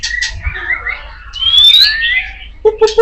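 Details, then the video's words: Loud kacer poci (Oriental magpie-robin) song: wavering mid-pitched warbles, a long rising clear whistle, then three short harsh buzzy notes at the end. "SUARA KICAUAN BURUNG KACER POCI KENCENG"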